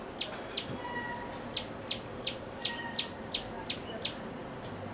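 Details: Common tailorbird calling. A sharp, high, clipped note repeats about every third of a second in a steady series over a grainy, noisy background.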